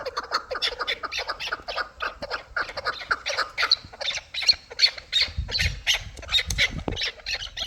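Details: Several chukar partridges, hybrid and local, call together in a dense chorus of raspy, chattering chuk notes. Low thumps are heard near the end.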